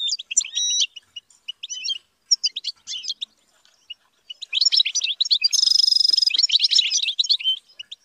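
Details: European goldfinch kept and trained for song, giving scattered bright chirps and twittering phrases broken by short silences, then a louder stretch with a rapid buzzy trill amid fast tinkling notes.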